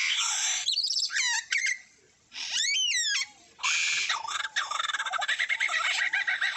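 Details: Lyrebird singing, imitating other birds using its exceptional hearing, memory and syrinx; a rapid run of varied whistles, sweeping slurs and trills separated by short silences, ending in a dense chattering sequence.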